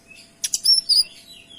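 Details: Kinoy, used as a tutor for other songbirds, giving a short clear phrase: two quick harsh chips, then piercing high whistled notes that slide down and fade.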